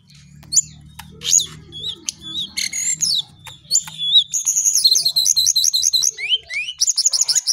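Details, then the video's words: Lesser shortwing, known locally as jongkangan or cingcoang coklat, singing a varied high song of sharp whistled notes, slurred upward and downward sweeps and a rapid rising-falling trill series; faint low hum beneath. "Jongkangan/Cingcoang coklat paling gacor di dunia maya"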